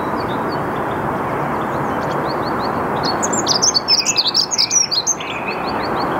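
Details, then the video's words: Early-morning dunnock song on 8 March 2022 at Mülheim an der Ruhr's Saarn-Mendener Ruhraue, 08:55, filmed on a Canon EOS R5. A fast, thin, tinkling phrase of about two seconds. Repeated sharp song thrush notes come before and after, over a broad rushing noise. "Dunnock (Prunella Modularis) singing / Heckenbraunelle singt"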